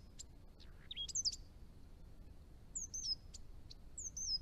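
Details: A Chestnut-rumped Thornbill in northern Victoria, at the edge of its range, gives high, thin chips and quick down-slurred twitters in short bursts about every second, with a quiet rural hiss behind.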